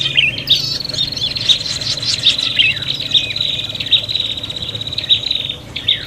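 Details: Prinias calling excitedly as if fighting, a recording meant to lure birds: a sustained high thin trill under scattered sharp chips and short rising and falling squeaks, busy and unbroken.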